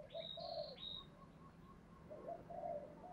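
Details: Lure call of a spotted dove in the Thổ Pha đồng style, meant to pull wild doves back: faint paired coos at the start and end, a bright high whistle early on, continuous low background hum.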